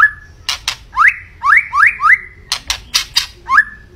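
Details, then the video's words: Song of a white-rumped shama: rising slurred whistles repeated four times, each sweeping upward, interleaved with harsh clicking notes. "Kicau Burung Murai Batu Gacor"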